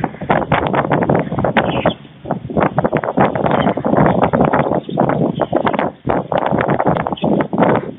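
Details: White stork nest in Fohrde, Germany, midday 16 July 2019, where the adult male brings food to two nestlings close to fledging: continuous harsh, rapid pulsed rattling with short gaps, over a steady wind-like rush.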